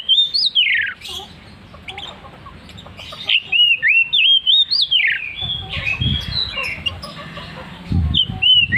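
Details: Loud, persistent song of an Oriental magpie-robin, a rapid run of varied whistled notes that swoop and rise, with short harsh bursts between phrases and faint low rumbling in the background.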